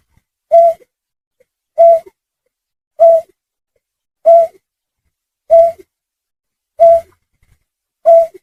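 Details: Hunting lure recording of a snipe (trinil sawah, burcet): seven low, round, whistled hoots, evenly spaced about 1.3 seconds apart, each brief and steady in pitch, over a quiet, clean background.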